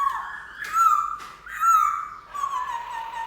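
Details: Black-throated laughingthrush giving mellow, slightly wavering whistled notes in three drawn-out phrases roughly a second apart, the last one slowly falling in pitch.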